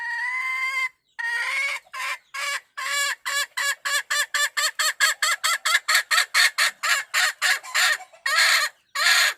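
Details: Wild hen calling the rooster; a drawn-out opening note, then a long accelerating run of rapid clucking pulses, closing with a few louder, harsher squawks.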